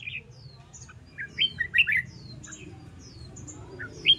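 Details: Red-whiskered bulbul singing cheerfully, recorded to train birds: short separate warbled notes, a brief three-note tumbling phrase, and a sharp final whistle, with many faint high chirps from other birds behind.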